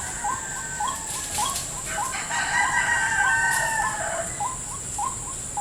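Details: White-breasted waterhen at a lure trap in a salak fruit garden: rapid repeated hooked notes, denser in the middle with overlapping higher tones and a brief wing-flutter-like burst, over a constant insect whine.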